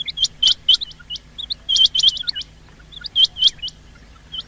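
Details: Rain quail call played to attract birds for hunting: bright, high, metallic notes grouped in twos and threes with short pauses, a few softer lower chirps between, over a low background hum.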